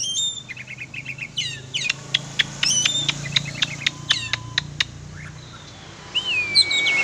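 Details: Oriental magpie-robin exercised outdoors, delivering a varied phrase: a quick stuttering trill, rasping chatter, a series of crisp separate clicks, then a soft rising whistle at the close.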